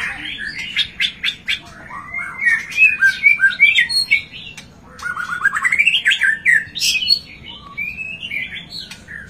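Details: White-rumped shama song used to provoke a silent, reluctant bird into singing while it sits out in the sun: loud, varied phrases of clear whistles, rising slurs and rapid chattering notes, delivered in quick bursts with short pauses.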